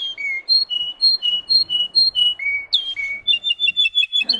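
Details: Russian canary, a song-bred bird, alternating high and lower whistled notes in a steady rocking rhythm, then a rising slur and a rapid run of short repeated high notes.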